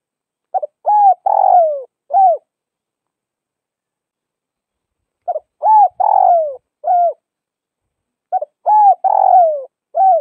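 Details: A Tây Bắc spotted dove repeats its four-note cooing phrase three times, about every four seconds. Each phrase runs: a stuttered double note, a smooth coo, a long buzzy descending coo, and a short falling coo. Quiet pauses separate the phrases.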